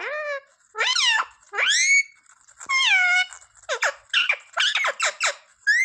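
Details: Pet rose-ringed parakeet kept indoors, taught to say papa and mummy, giving a string of loud nasal rising word-like calls and quick harsh chatter, separated by short pauses, in a small room.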